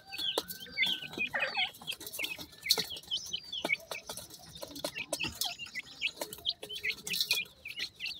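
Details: Young black partridge chicks peeping. Shrill, high chirps come in quick irregular bursts, some slurred downward and some short and clipped, over soft tapping and rustling.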